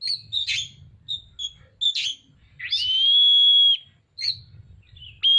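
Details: A tail-spreading Oriental magpie-robin sings in lively bursts: short scratchy notes and chirps, then a single drawn-out pure whistle lasting over a second, and a fresh whistle starting at the end. A soft low hum is audible.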